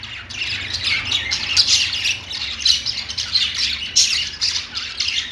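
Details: Several budgerigars singing together on a perch, busy high chatter of short chirps, squeaks and harsh squawks, continuous throughout.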